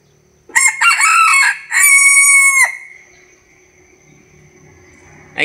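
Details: A tame, handsome bantam rooster crows once: broken rasping notes, then a long even held tone with a sudden downward end, followed by quiet hum and a brief sound at the close.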